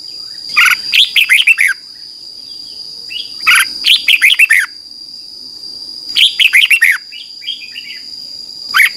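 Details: Morning song of a red-whiskered bulbul used as a training lure for a newly caught bird: three lively phrases of quick, descending, bubbly whistled notes, roughly every two and a half seconds, with a constant thin high hum behind.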